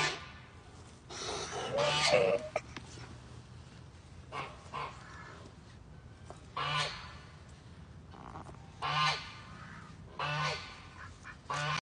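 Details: Broody female goose protecting her babies: several harsh, breathy hisses in bursts a few seconds apart, with a faint honking tone mixed into some of them.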